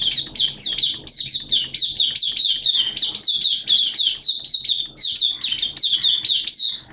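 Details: Caged Oriental white-eye singing in wet, erratic weather: a continuous stream of high, rapid, sweet warbled notes, each slurring downward, running without pause for the whole stretch over a low hum.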